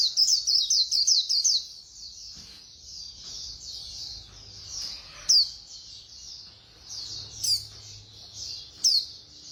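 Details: White-eye of the Khuyên Líu type, valued for fast singing, opens with a rapid burst of piercing high twitters, then continues a thin, unbroken high warble punctuated by occasional sharp accented notes.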